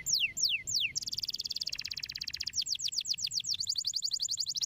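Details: Stimulating canary song: three sharp falling whistles, then a long fast buzzy trill that turns into rapid repeated sweeping notes, high and rolling, over a noisy low background.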